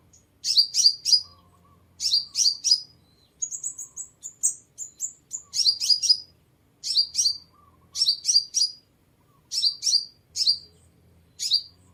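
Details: Sunbird (seven-coloured) song for luring birds: repeated triplets of sharp high chirps about every second, with a brief string of thin whistled notes in the middle.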